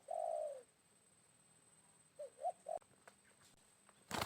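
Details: Wild spotted dove responding to a decoy bird at midday after rain: one drawn-out low coo, a pause, then three short clipped coos, with a faint rustle and a sharp knock at the end.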